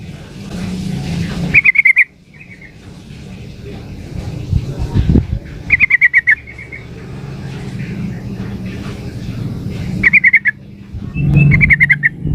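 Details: Female yellow-vented bulbul calling a male: four spaced bursts of quick, sharp chattering notes amid heavy rumbling traffic and engine noise.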